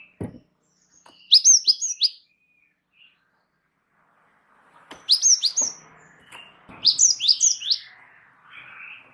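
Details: Java sparrow chattering in an unbroken singing spell, a master recording to train birds: rapid runs of high, descending chirps in three groups, one early and two close together later.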